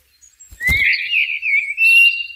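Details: Blackbird in nature giving a long, clear whistled note that rises slightly and then holds steady for nearly two seconds, with a brief click near the start.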